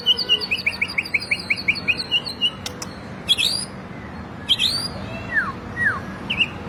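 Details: Training song of a white-rumped shama: a rapid even series of high repeated chirps, then sharp clicks and a few separate downslurred whistles.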